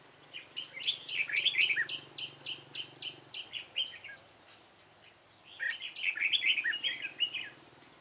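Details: Red-whiskered bulbul, dark-bibbed, recorded during bird trapping on 28 February 2017; bright chirps repeated about four times a second, then a run of rich warbled notes, a pause and another chirping, warbling bout.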